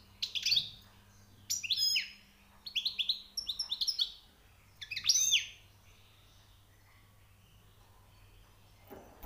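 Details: European goldfinch, recently caught, singing high notes in clustered bursts of liquid twitters and quick descending whistles, spaced by brief pauses, ending with a long quiet spell and soft background hum.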